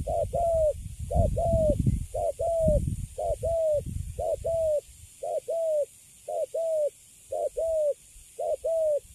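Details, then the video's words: Spotted dove, a captured bird that stays calm and still in its cage, cooing steadily in a Cấn Sấm style: mellow two-part coos, a short note then a longer slurred one, repeated about once a second, with low thumping early on. "Thổ tơ Cấn Sấm, Bắt về cho vô lòng là đứng im ru. Nước Gù khá là Tốt."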